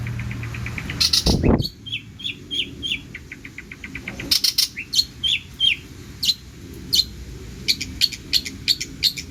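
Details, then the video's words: Long-tailed shrike in full, lively song packed with imitated phrases: rapid high ticking trills and sharp chirps in irregular bursts, with one loud broadband crash near the start. "CENDET GACOR ISIAN MELIMPAH!!"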